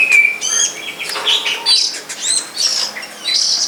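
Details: Long-tailed shrike of the pilis type singing in the wild, a high, scratchy jumble of varied chirps, short whistles and buzzy notes delivered in quick succession.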